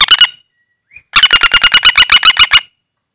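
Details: Common flameback, a wild bird caught by trapping and held in the hand, used as a trapping lure: a short burst of harsh notes, a brief pause, then a longer rapid rattle of about thirteen loud, evenly spaced notes.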